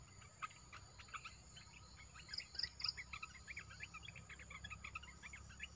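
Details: Caged red-eyed bulbul (Olive-winged Bulbul) newly kept, pouring out quick chattering, bubbling notes with some sharper whistles, over a steady high insect drone and low rumble; recorded 29 June 2021.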